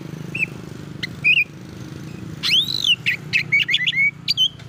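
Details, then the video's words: Oriental magpie-robin song used to provoke other magpie-robins. A few scattered whistles build into a loud arched note and a fast chattering burst of sweet notes, with constant low traffic-like rumble underneath. "bikin Kacer Lain ikut emosi coba buktikan dengan suara ini"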